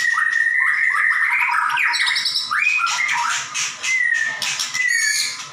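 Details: White-rumped shama, a kept songbird, singing vigorously: rich fluty whistles rising and falling, harsh chattering bursts and rapid clicking notes, in varied phrases about once a second.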